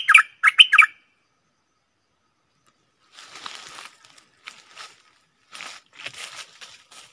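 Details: Caged stripe-throated bulbul recorded on 7 June 2021 opens with three loud, rich warbled notes in quick succession, followed by quieter scattered chirps and soft rustling.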